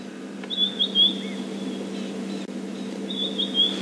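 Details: White-browed scrub robin, part of a mixed bird party, gives two high, whistled phrases about two and a half seconds apart, echoing through a drainage line on a morning safari drive, over a steady low engine hum.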